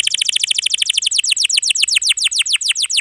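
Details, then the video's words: A canary rolls out a steady three-second series of rapid falling whistled notes, about seven per second, slowing slightly toward the end, as training song for young or non-singing canaries. "KENARI GACOR ROLL PANJANG ||| Isian Rapat Cocok Untuk Masteran Kenari Paud Dan Kenari Macet Bunyi"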